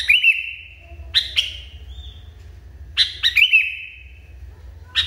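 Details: Sooty-headed bulbul, very agitated, repeating quick chirp clusters that run into a long, even, slightly sinking whistle, about every second and a half, over a low hum.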